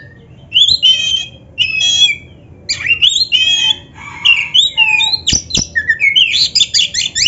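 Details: Black-breasted Oriental magpie-robin, played as a training track to get caged birds singing loudly: varied high song of whistled slurs, buzzy rattling notes and sharp chips, bursts separated by short pauses, ending in quick repeated phrases.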